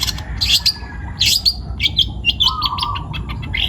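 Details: Vigorously singing young wild-caught long-tailed shrike gives harsh squeaky bursts and thin high whistles, then a buzzy trill and a quick run of sharp chips, loud and irregular.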